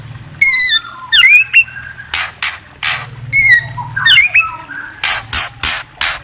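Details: White-rumped shama song: clear whistled notes and quick rising and falling sweeps, two similar phrases about three seconds apart, mixed with harsh buzzy bursts and a low hum underneath.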